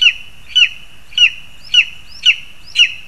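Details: Lesser spotted eagles on 2 August 2020, parents bringing food to the young bird: six shrill, clipped yelps repeated roughly every half second over a thin continuous high tone, with little background noise.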